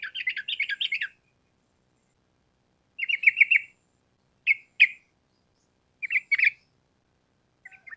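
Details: Lively sooty-headed bulbul in 'gacor' form, the long rapid 'ropel' song intended as a master for cage birds. Fast chattered bursts are followed by shorter paired notes, spaced irregularly over several seconds in otherwise quiet surroundings.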